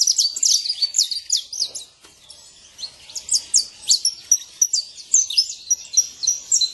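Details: Wild saffron finch singing free in nature: rapid series of high, sharp chirps and slurred notes in quick bursts, pausing briefly near two seconds before resuming a busier chattering phrase.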